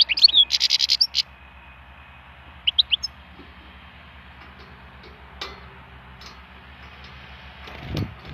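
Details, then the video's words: Wild European goldfinch giving a brief burst of quick, high twittering, then a few scattered chirps, followed by quiet with a low thump near the end. "chant chardonneret sauvage"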